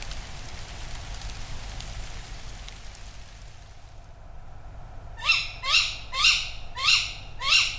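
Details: Resident Tawny Owl in August woodland at Padarn Park, Wales, recorded overnight by a drop rig with rain coming, calling and flying through the trees: five harsh, hoarse rising calls in quick succession, about two a second, after soft hissing background.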